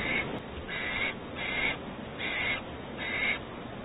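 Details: Barn owls at the Audubon California Starr Ranch nest in 2019 as the male brings home a rat: five harsh, breathy hissing bursts, each about half a second long, repeating roughly every 0.7 seconds over a steady low background hum.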